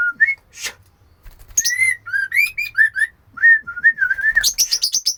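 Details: Oriental magpie-robin female calling the male, giving varied clear whistles that rise and fall, mixed with sharp high chips, ending in a fast series of high, tinny repeated notes.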